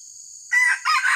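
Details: Red junglefowl crowing as a decoy to lure wild junglefowl during trapping: a brief harsh crow in two bursts over steady high insect buzzing.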